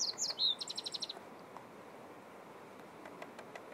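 A nightingale gives a brief burst of song: a few high sweeping notes, then a fast run of about eight identical chips, before falling quiet over soft background hiss.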